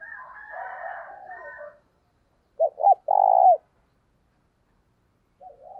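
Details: Lure spotted dove giving its thúc bổi call to attract wild doves. A scratchy, layered warble opens the clip. After a pause comes a loud coo of two short notes and a long note, then a faint coo at the close.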